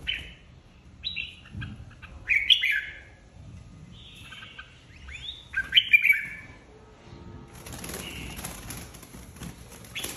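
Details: Red-whiskered bulbul flock leader singing competitively: short bright whistled phrases with a swooping, arched note, separated by pauses, then a hissing, scratchy background in the last seconds.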